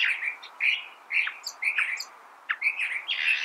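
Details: California thrasher delivering short, rich chirped phrases separated by brief gaps, some with downward-sliding notes, the last phrase broader and buzzier.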